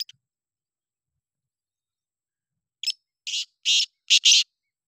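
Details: Black francolin call after a stretch of silence: a short rasping note, then three loud, harsh, buzzy bursts that grow stronger, delivered in quick succession against a quiet background.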